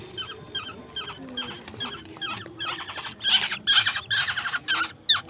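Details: Baby birds, yellow birds and koel chicks kept at home, calling while being fed grasshoppers at night: rapid buzzy chirps repeated about twice a second, growing louder and harsher toward the end, with a person talking softly nearby.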